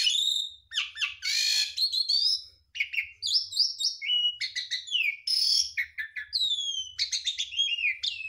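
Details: Full mimicry fills from a Javan pied starling of the Garuda mompa type, a clear continuous recording for songbird training: a fast, unbroken run of high chirps, harsh rasps, sliding whistles and trills changing every fraction of a second.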